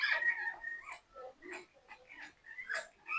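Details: A 20-year-old African grey parrot whispers into its owner's ear. Soft, breathy, close murmured syllables come in short bursts, with a brief thin whistled tone at the start.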